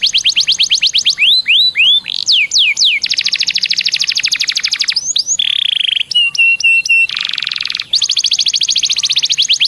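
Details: Canary song played to coax other canaries into singing: rapid trills, swooping whistled slurs, a long steady rattle, then clipped repeated whistles and a broad buzzy trill, nearly unbroken throughout.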